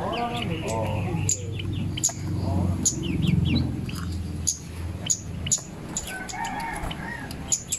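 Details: Singing zitting cisticola giving a run of short, piercing high clicks, roughly three to four per second, over a busy backdrop of other chirping birds and low rumbling noise.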